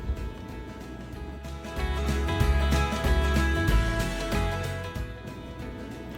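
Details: Steady instrumental music with strong low bass and guitar-like tones, and no animal voices.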